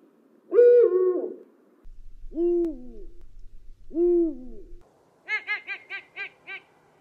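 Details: Eurasian eagle-owl giving a varied series: a rough, nasal note, then two deep, downslurred hoots about a second and a half apart, then a quick run of six short barking notes.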